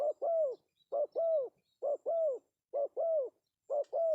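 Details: Male spotted dove giving the pesom-style call used as a lure: paired coos, a short note then a longer arched one. Five pairs come at steady intervals of about one second, with faint high chirps far behind.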